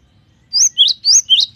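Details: Cinereous tit (gelatik batu) in full song ('gacor'), giving four loud, clear notes that alternate between a higher slurred whistle and a lower one, delivered quickly in a ringing phrase.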